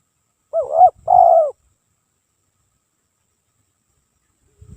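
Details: Spotted dove cooing as a lure call: two quick, rounded, hollow coo notes, the second longer and slurred, then silence apart from a faint thump.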